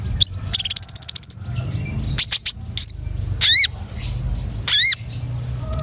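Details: Long-tailed shrike in full song with varied material: a rapid buzzy trill, sharp chirps, and repeated wavering high notes with harmonics, separated by brief gaps; faint low hum throughout.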